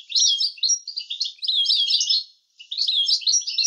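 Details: European goldfinch in a clean training recording of an approved 'language' song: bright, liquid twittered phrases with quick rising and falling notes in three bursts, background silent.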